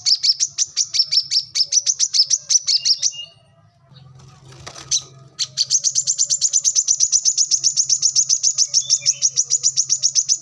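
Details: Brown-throated sunbird (kolibri kelapa) singing a lively gacor song used to train caged birds: fast runs of sharp high chirps, a pause near four seconds with faint rustling, then a long steady series of rapid, evenly repeated high notes.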